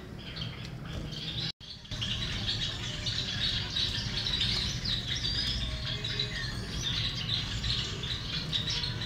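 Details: Male Gouldian finches kept for breeding chatter together in a dense, continuous chorus of high, thin chirps and squeaks, with a low background rumble.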